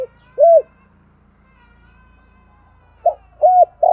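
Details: Cooing spotted dove in the "thổ" voice style, for luring wild doves: separate rounded, arched coos, one early and a cluster near the end, over a faint steady humming tone in the background.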